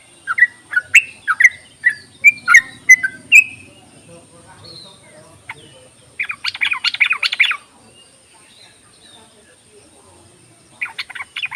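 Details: Yellow-vented bulbul calling as a lure: a run of short liquid whistled notes, then quiet, then a harsher burst of scratchy chatter near the end, with a faint steady high tone throughout.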